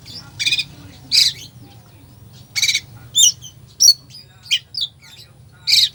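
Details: Full 'isian' song of an Oriental magpie-robin, played to stir up a lazy bird: rasping, scratchy bursts alternate with sharp high whistled chirps and quick twitters, roughly every second, with a faint low hum underneath.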